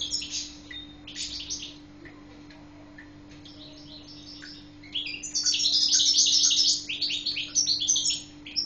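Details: A captive Badri Guelma European goldfinch sings two short twittering phrases, pauses with scattered clicks, then launches into a loud rapid tinkling, buzzy run of song; low hum throughout.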